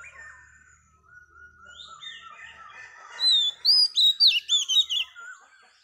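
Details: Oriental magpie-robin female singing to stimulate males; quiet slurred whistles build into a loud, rapid sequence of rich warbling notes repeated about seven times before trailing off.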